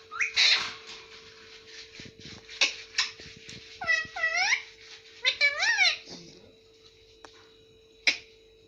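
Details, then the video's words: Pet rose-ringed parakeet indoors in a small room saying "mummy" and "papa": two clear bursts of arched, harmonic, speech-like syllables near the middle, with a few short squeaks around them and a steady electrical hum throughout. "parrot talking mummy and papa"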